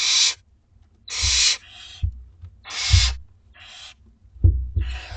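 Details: Barn Owl owlets, two weeks old, begging at feeding time in a school garden; loud rasping hiss-screeches repeat roughly every second, interleaved with softer hisses and low knocks and scuffles.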